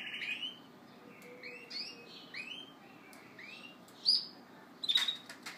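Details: Yorkshire canary male courting a hen: scattered short, upward-swept chirped phrases separated by gaps, then sharp high clicks and a loud brief note near the end, with a soft hum underneath.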